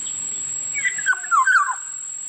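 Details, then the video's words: Black-naped oriole calling: a short run of mellow, gliding whistled notes, falling then lifting in a rolling phrase, after a soft low rumble, with a constant thin high whine throughout. "Sound of Black-naped oriole Huni ng lapiting kilyawan"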